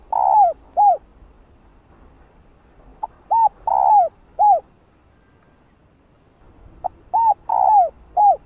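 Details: Female spotted dove cooing to call a male: three phrases of low, hollow coos, each a short pip, quick arched coos and one longer drawn-out note, the phrases spaced a few seconds apart in otherwise quiet surroundings.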